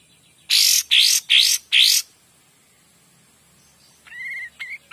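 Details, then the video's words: Kapas tembak in lively song, intended as master for magpie-robins: four loud, harsh, buzzy bursts in quick succession, then silence and a few soft whistled notes. "KAPAS TEMBAK GACOR DOR"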